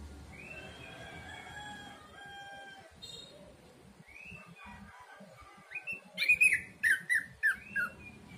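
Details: Orange-headed thrush song used as a lure recording: after several faint, blurred seconds, a loud run of short, bright, downslurred notes repeats rapidly over the final two seconds against a hissy background.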